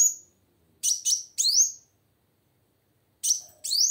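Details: Female plain sunbird in full voice, meant to trigger song in silent males: high, sharp upslurred chirps given singly and in pairs, separated by clear gaps.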